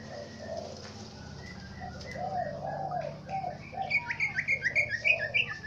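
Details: Green leafbird (cucak ijo) from Aceh Tengah singing with swiftlet mimicry: a run of quick, sharp chirping notes, repeated several times a second, rising near the end over soft low cooing sounds in the background.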